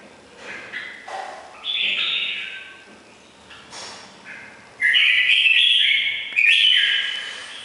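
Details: Red-whiskered bulbul, củ đậu type, in ringing bell-like voice: softer scattered notes at first, then two loud clear whistled phrases with warbling pitch steps near the end.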